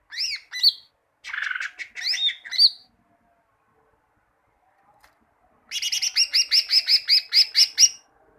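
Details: Tutor song of the greater green leafbird for kept birds: a few sharp whistles and a harsh buzzy note, a silent gap, then a long run of about fifteen rapid, evenly repeated bright chirps.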